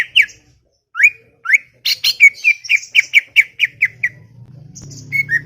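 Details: Garden recording of a chattering cucak ijo, or greater green leafbird. Upslurred whistles lead into a fast series of evenly spaced chirps, then a pause and a few final notes over a low drone.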